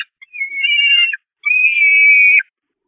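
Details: At the Catharinakerk church nest on 5 May 2021, starving Peregrine falcon young harass their mother: two long, strained whining notes, each near a second, separated by a short pause, ending with a downward slur.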